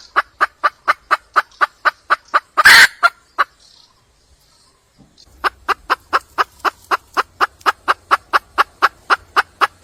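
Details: Red junglefowl hen in the wild calling for a male. Rapid, even clucks repeat about four times a second, broken by one loud rasping burst and a two-second silence before the clucking resumes.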